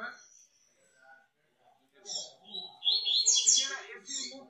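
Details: Free-flying double-collared seedeater singing outside its cage, a father bird, gives a quick, high burst of chattering, buzzy notes lasting about two seconds, with soft human speech murmuring underneath.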